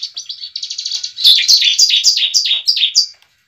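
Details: Bar-winged prinia fighting song intended to get a newly kept bird singing: starts with softer rapid notes, then swells into loud, high, downslurred chips repeated steadily about four per second before stopping.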